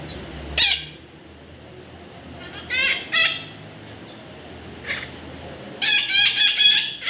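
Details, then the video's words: Baby parrot giving harsh, buzzy squawks in short bursts, one early, two near the middle and a fast run of four or five at the end, with quiet background hiss between. "natural funny parrot sound"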